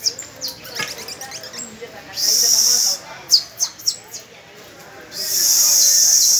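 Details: On the first of May, young canaries practise with an adult canary: scattered high chirps, then a sustained, hissing high roll, a few crisp separate notes, and another long buzzy roll to finish.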